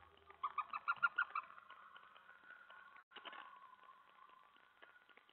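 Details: Owl at night, 3:10 AM on July 31, 2017, during a mouse delivery, one of sixteen food drops that night; about eight rapid pulsed chittering notes, then quieter rustling and hum.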